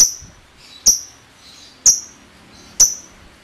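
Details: Lovebird ngetik ticks, from a lure meant to set other lovebirds singing: four sharp, high, abrupt tick notes roughly one second apart, separated by near silence.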